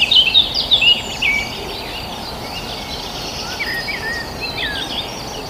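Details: Countryside birds chirping in a village: a quick burst of high, sharp chirps opens the sequence, then scattered thin twitters fade into a steady hiss of background noise.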